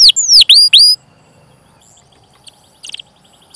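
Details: Canary song used as a training lure for young, untrained or silent canaries: three loud, fast descending whistled sweeps in under a second, then near-silence broken by a few faint high chirps.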